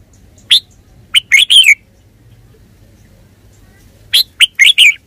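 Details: Red-whiskered bulbul delivering two lively phrases of sharp chirps running into rolling, warbled notes, separated by a pause of about two seconds over light background hum.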